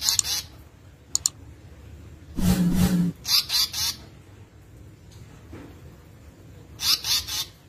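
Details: Asian paradise flycatcher, known locally as tali pocong or seriwang, giving short bursts of harsh, buzzy rasping notes in quick runs of two to four, separated by pauses, with a brief low thump mid-clip.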